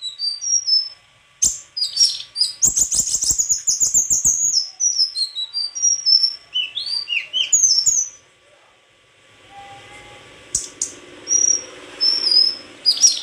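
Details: White-throated flycatcher giving a varied song of high whistled slurs and quick twittering runs, pausing near the end before resuming thin whistles over faint background noise.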